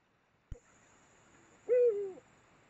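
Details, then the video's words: Eurasian eagle-owl during mating at the Mosel in Germany, late January 2022: a sharp click, then one higher-pitched, drawn-out hoot that sags downward. "Eurasian Eagle-Owl mating. Uhu Kopulation."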